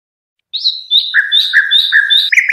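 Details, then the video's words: A European goldfinch sings for chick-training purposes, opening with a high slurred whistle. Lower and higher notes then alternate in a steady rhythm, ending in a short burst of twitter. "صوت الحداد عالي الجودة تحفيظ الفراخ خالي من الأخطاء"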